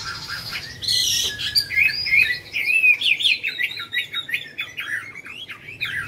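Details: Caged Chinese hwamei, yellow-billed type, singing at home indoors: a busy, varied run of quick high whistled and chattering notes, rising and falling rapidly, several per second.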